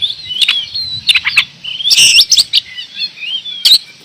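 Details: Energetic song of an oriental magpie-robin in Indonesia, mixing clear drawn-out whistles with quick chattering trills and loud snapping clicks. A faint low rumble sits under the bright, high-pitched phrases.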